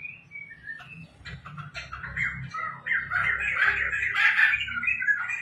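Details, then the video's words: Tame laughingthrush kept at home, singing actively: scattered squeaky notes at first, then building into loud, dense chattering and whistled phrases, busiest near the end, with a faint low hum underneath. "poksai gacor bikin ramai rumah | poksai lulut dan gacor"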